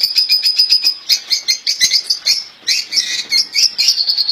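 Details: Caged European goldfinch, described as a royal goldfinch with faultless song: a fast, even trill leading into rolling, liquid twitters and buzzy chirps, pulsing in quick succession throughout.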